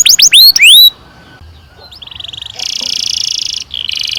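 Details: Canary song used for training young canaries: a few sharp rising whistles, a pause, then a long buzzy trilled roll held at a high pitch, briefly interrupted and resumed.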